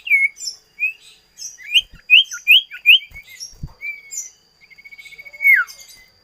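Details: Common iora, known in Indonesia as sirtu, cipoh, cito or sirdum: clusters of quick chirping upslurred notes, then a fast even trill of about a dozen pulses ending in a sharp downward-slurred note; faint steady whine behind.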